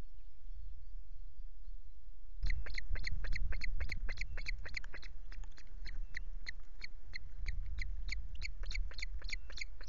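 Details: An osprey at the Loch Garten nest on 5 July, with chicks present and the male bringing fish, gives a fast series of sharp, high whistled chirps, about three or four a second, over low wind rumble.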